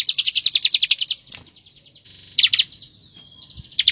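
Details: Bar-winged prinia in dense 'ngebren rapat' song, a master recording for white-rumped shama training: a fast volley of piercing chirps, a low buzzy lull with a brief sliding whistle, then renewed chirping.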